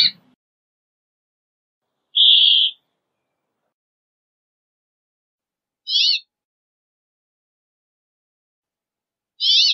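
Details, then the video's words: Brambling giving one drawn-out wheezy buzz, then two short, sharply modulated chirping notes about three and a half seconds apart, against a silent background. "Brambling Song! Brambling Call! Brambling Voice! - Pinzón Real Canto"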